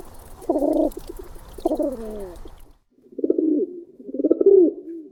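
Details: Low, muffled rolling coos of pigeons, their social group call, in two bursts split by a short silence, the second a throaty, wavering rumble.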